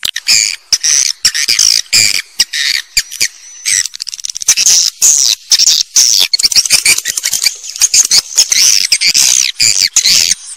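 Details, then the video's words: Swiftlet calls: rapid, dense bursts of high, buzzy chirps and twittering, broken by short gaps, with faint clicking between phrases. "SUARA WALET FULL DURASION"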